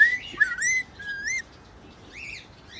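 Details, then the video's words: Whistled song of a rainbow lorikeet said to be in love: wavering clear whistles with overtones, a short slurred phrase, then a soft arched note. "Lorikeet rainbow singing song in love"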